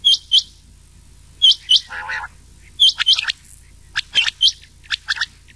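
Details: Rain quail voice mixed with old quail, recorded for summer night hunting: bright doubled whistles repeated in spaced pairs, with a lower buzzy burst and several quick clicking chirps afterward.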